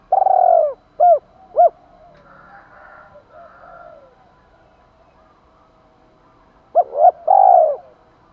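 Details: Spotted dove coo for provoking wild males: one long throaty falling coo followed by two short hoots, a faint murmur of other sound in between, then another phrase with a long coo near the end.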